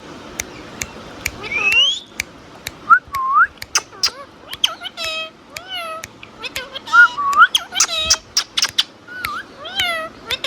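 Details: Pet Indian ringneck parakeet talking and chirping indoors: a rapid run of short wavering, speech-like syllables mixed with curved whistled chirps and sharp clicks, the phrases tumbling irregularly over about ten seconds.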